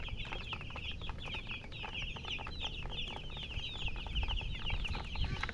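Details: Chicken chicks chirping in a group: dense, overlapping high, thin peeps, each a short down-slurred note, pouring out continuously with barely a pause, over a low background rumble and scattered soft clicks and taps.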